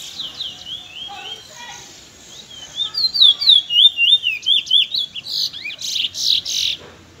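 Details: Young Chestnut-bellied Seed-Finches (Trinidad bullfinch) in the afternoon; one sings a fast, sweet warble of high slurred whistles, about three or four notes a second, with brighter phrases toward the end.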